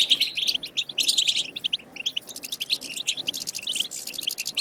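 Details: European goldfinch song in the wild, used to prompt goldfinches to sing. Energetic high twittering flows in overlapping, fast-paced phrases of chirps and buzzes with no real gaps.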